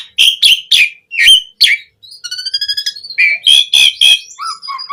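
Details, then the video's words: Javan pied starling singing a powerful, varied song: a few loud spaced chirps, then a steady run of thin, evenly repeated ringing notes, then more loud whistled chirps and low soft notes. "Pancingan Suara Jalak Suren Gacor POWER FULL Variasi Isian"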